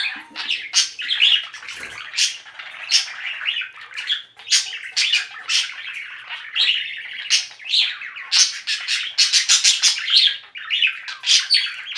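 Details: A solo yellow-green budgerigar chatters steadily in bright, scratchy chirps and warbles with quick squawky notes.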